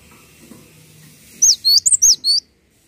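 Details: A gelatik watu, the cinereous tit, singing as a tutor bird: a short phrase of about six piercing high whistled notes, some doubled, then quiet.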